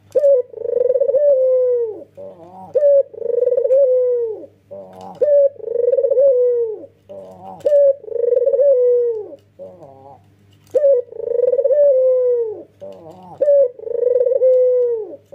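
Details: Bold male Barbary dove, white with red eyes, cooing steadily in nodding fashion. The rhythmic phrases repeat roughly every two to three seconds, each a crisp short note and a rapidly pulsing coo stretching into a long, gently descending hum. There is a brief pause midway.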